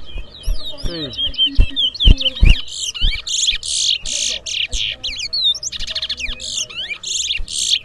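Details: Towa Towa birds singing in a whistling competition between two contenders: dense high whistled phrases, buzzy notes and rapid slurred trills that follow each other almost without pause. Sharp knocks and thumps are heard, especially early on.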